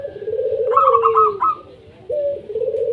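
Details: Local zebra dove singing to prompt other doves to start calling: low, rounded coos with a brighter rolling phrase in the middle, a short pause, then the cooing resumes.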